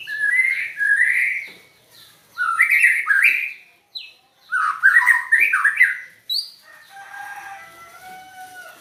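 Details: White-rumped shama with a voice described as strange, singing loud bursts of rich whistled and warbled phrases, rising and falling notes grouped in clusters separated by short pauses, ending in a quieter trailing twitter.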